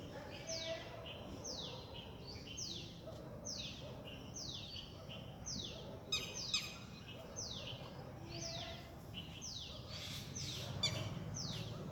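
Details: Red-wattled lapwing in a neighbourhood park: sharp, high, downward-slurred notes, often doubled, repeated about every second over a steady background hiss, with a few clicks and knocks near the end.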